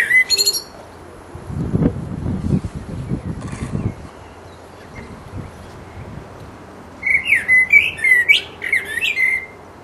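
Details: Mating song of a resident blackbird: a fluty opening phrase with a squeaky high flourish, a pause filled with low thuds and rumbling, then a longer run of rich whistled notes broken by bright twittering trills.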